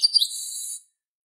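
Chestnut-capped blackbird song: two quick high notes run into a harsh, buzzy wheeze lasting over half a second, then silence.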